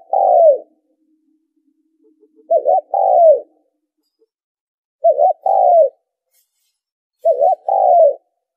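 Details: Lure calling by a spotted dove for bird trapping: four low coo phrases roughly every 2.5 seconds, each a quick looping note followed by a longer falling coo, with faint clicks in between.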